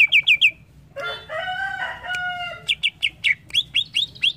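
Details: Greater green leafbird: quick bright whistles, then a harsh, harmonic drawn-out crowing-like phrase, followed by a run of clear upslurred whistles repeated about five times per second.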